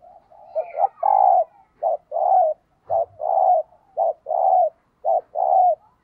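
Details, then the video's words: Caged spotted dove used as a decoy, giving the 'thúc gù' coo to provoke wild doves. It repeats a clipped hoot followed by a longer, warm, steady coo about once a second, five times in a row, in a quiet setting. "Chim Cu Mồi Thúc Gù Bài Bản Nghe Rất Xướng Tai, Dùng Kích Bổi Rất Hiệu Quả"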